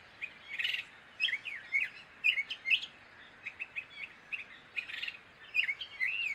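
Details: Gray catbird in steady song, stringing together rapid squeaky chirps, quick upslurred and downslurred whistles and scratchy notes in tight clusters with only short pauses between them.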